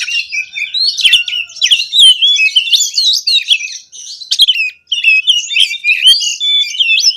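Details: Energetic oriental magpie-robin song in konslet style, full of fill-ins: a dense, nonstop stream of sharp whistles, clipped chirps and slurred notes, with scratchy clicks scattered throughout and hardly any breaks.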